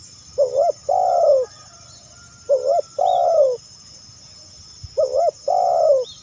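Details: Spotted dove calling, used to lure other doves: low cooing phrases, each a short note followed by a longer drawn-out coo, repeated about every two and a half seconds over a faint steady hiss.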